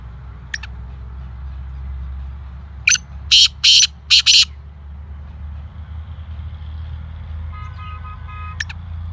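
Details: Black francolin, kept bird, giving a loud harsh call of several short rasping bursts in quick succession, with a faint isolated note before and after and a low steady rumble of traffic behind.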